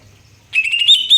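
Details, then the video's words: Greater green leafbird: after a short quiet lead-in, one bright, clear whistled phrase of quick warbling notes, with a sharp rising note near the end. "cucak hijau"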